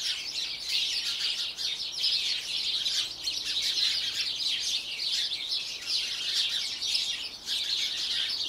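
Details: A Eurasian wren in a garden pours out high, rapid, ringing trills and chatter almost without pause for the whole stretch, with only brief dips between bursts.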